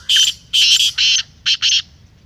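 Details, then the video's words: Black francolin, close and loud. It gives five harsh, buzzy, grating syllables in two groups, the second pair shorter, over a quiet background. "Kala Teetar masti aur chakri k liye behtareen awaz/Black Teetar Voice"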